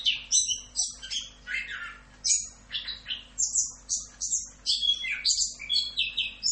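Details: Orange-headed thrush delivering a 'Rock'n Roll' tutor song of rapid, varied high phrases: sharp chips, buzzy bursts and quick whistled slurs in short bursts, packed densely with brief pauses, over a low steady hum.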